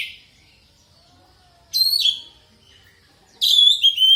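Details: Oriental magpie-robin (kacer poci) song, used as a lure to stimulate other birds to sing: two short bright whistled phrases with sweeping, slurred notes, separated by a long quiet gap, over a faint low hum.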